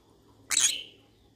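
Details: Pet yellow-sided conure, said to be looking for friends to talk to, gives one short harsh screechy squawk that fades over half a second in a quiet room.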